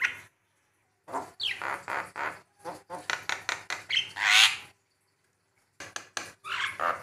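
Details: Javan myna (jalak kebo) song used as a master recording for training: harsh broadband squawks and rasping notes in uneven runs, with a loud buzzy screech near the middle and short pauses between bursts.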